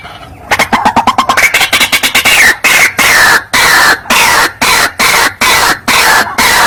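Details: White-breasted waterhen (ruak-ruak) lure call meant to draw birds in when played from a phone: loud, harsh croaking notes, rapid at first, then slowing to steady blocks about twice a second.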